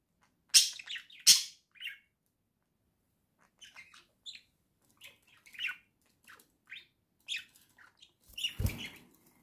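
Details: Pair of pet budgerigars in a cage at home, chirping and chattering: two loud sharp squawks, then a string of soft scratchy warbled notes, ending with a brief thump.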